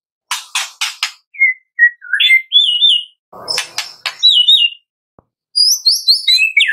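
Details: A 'kretekan' song of the White-rumped shama, meant as a lure to trigger singing: rapid dry crackles, then thin whistled notes rising higher, another crackle burst, and a closing run of high twisting whistles.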